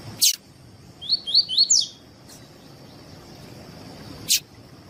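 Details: Double-collared seedeater giving the tui tui song, a style prized by tournament breeders and played to teach and warm up other seedeaters: four rapid, high, swept whistled notes in under a second, with sharp clicks before and after.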